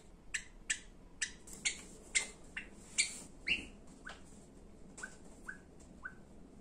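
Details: Java sparrow from a medley of song, calling and affectionate calls: a quick run of sharp, high chirps with downward-bending tails, about a dozen in succession, loud and crowded at first, then softer and more widely spaced.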